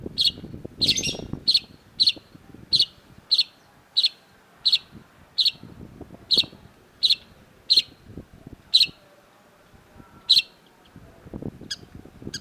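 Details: Long-tailed shrike, known locally as cendet, giving a steady series of sharp harsh notes at roughly two-thirds-second intervals, each short and piercing, over a soft low murmur of background noise.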